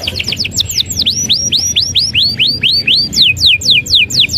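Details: Gacor canary in lively, nonstop song: a fast series of bright whistled notes, each sliding steeply downward from high to mid pitch, repeated about twice a second with slight changes in shape over a faint low background hum.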